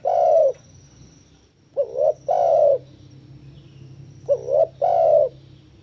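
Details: Spotted dove, in breeding condition and challenging an opponent, coos low and mellow: a long coo, then two phrases of a brief doubled note and a sustained rolling coo, over a soft low drone.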